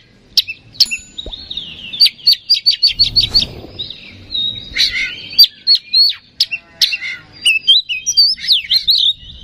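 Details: Oriental magpie-robin song used as a lure to provoke singing: rapid varied phrases of sharp whistled notes and chattering trills, a quick series of repeated clipped notes, scratchy buzzes and warbled slurs, loud and continuous throughout.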